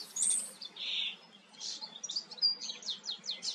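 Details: Common starling in the Eifel, Germany, singing as it preens: a varied medley of high whistles, a buzzy middle note, then rapid descending clicks and rattles in quick succession.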